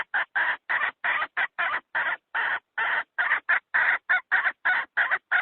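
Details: A hen calls to lure wild chickens into traps, giving a fast series of short, harsh clucks of about three per second. The clucks are slightly uneven in spacing and continue without pause against a quiet background.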